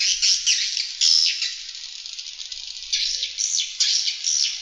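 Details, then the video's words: Swiftlet calls used as an external lure sound, a dense stream of high, rapid chirps and twitters in bursts, rising and fading with short gaps, with no other clear sounds. "Swiftlet External Sound"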